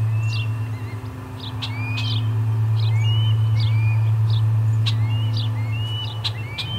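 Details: Osprey calling at its nest as a fish is brought in, August 2020; thin rising whistles and short chirps come in quick runs of several notes, over a constant low electrical hum.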